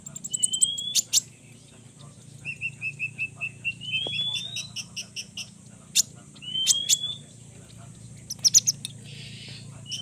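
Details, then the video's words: Two konin birds sing thin, high whistled notes, some drawn out and gently rising, broken by short sharp ticks and quick bright chips, with a faint steady hiss behind. "konin Rajo dan konin Edan bikin konin koninmu emosi"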